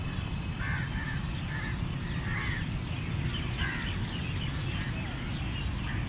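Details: Several short, somewhat faint crow caws spaced irregularly through six seconds, with a heavy rumbling background and occasional sharp clicks.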